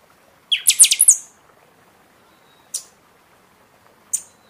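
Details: Buffy-fronted seedeater song for rousing caged birds following moult: a rapid run of five high, piercing notes from a lower opening, followed by two single sharp chips spaced over a second apart.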